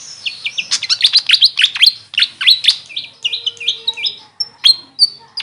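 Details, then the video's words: Continuous high twittering from a grey fantail (local name Maria Capra): sharp squeaky notes tumble quickly together. Short thin whistled notes follow, then a few spaced chips. "Grey Fantail bird call||huni ng Maria Capra kung sa amin tawagin"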